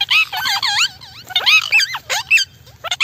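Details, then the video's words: Parrot vocalizing: a rapid run of squeaky, warbling whistles that bend up and down, delivered in short bursts with brief gaps, over a faint low hum. "Parrot talking video amazon natural sound group parrot voice"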